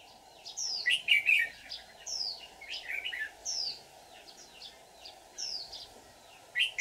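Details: Decoy red-whiskered bulbul, white-cheeked type, used on 24 July 2019 to trap wild birds, delivering a fight song: loud jumbled chattering phrases alternating with clear downslurred whistles, repeated roughly every second.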